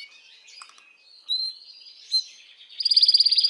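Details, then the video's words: Canary song to stimulate females for mating: quiet twittering and two brief whistled notes, then a loud fast pulsing trill in the final second. "تغريد كناري"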